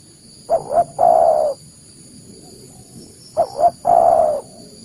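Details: Spotted dove cooing for luring wild doves: two phrases of quick double notes and a long warm coo, spaced about three seconds apart, slightly quieter, over a low murmur and steady high hum.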